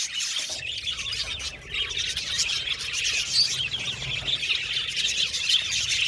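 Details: Budgie flock chatter: a thick layer of high tweets, squeaks and grating warbles that briefly dips after the first seconds, then returns with occasional sharper whistled notes.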